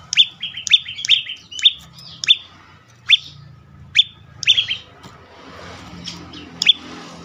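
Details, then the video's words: Prinia calling as a lure for other birds: a rapid burst of sharp falling chirps, then single chirps about one second apart, fading into faint scattered chirping and a soft hum. "full Dorrr prenjak lumut lain makin tergoda berbunyi sangat ampuh untuk pancingan burung bisu"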